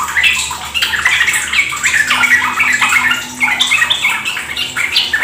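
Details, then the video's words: Sooty-headed bulbul singing in a lure recording for prompting fast ropel song in kept trucuk; lively, tumbling series of warbled and chirping notes packed closely together. "Pancingan trucukan agar ikut ropel gacor"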